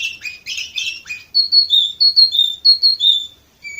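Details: Canary in Varna, Bulgaria, recorded in 2018, opening with four rough rolling trills, then switching to repeated paired whistled notes that dip in pitch, about two pairs a second, ending on a lower short note.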